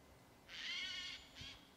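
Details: Eurasian jay at Ribniki in the Draga valley on 6 November 2022, giving a harsh, rasping screech lasting under a second, then a shorter clipped rasp; otherwise quiet.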